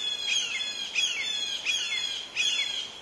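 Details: Two red-shouldered hawk chicks in the nest being fed by a parent; high, squealing notes with a falling slur, about four in three seconds, over constant background noise with a steady high tone.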